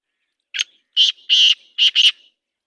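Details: Black francolin call: a loud, harsh, grating phrase of five clipped notes, a short opening note then two paired bursts, broad and rasping, on a silent background.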